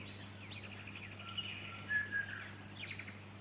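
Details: Fuscous honeyeater, Victoria, Australia, September 2019: quick buzzy chattering notes, a couple of bright short whistles, and a final burst of rapid chips, against a faint steady hum.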